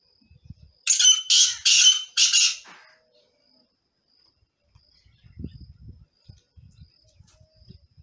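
A male black francolin gives one loud, harsh, grating phrase of three rasping notes, then falls quiet; faint low thumps and rustling follow.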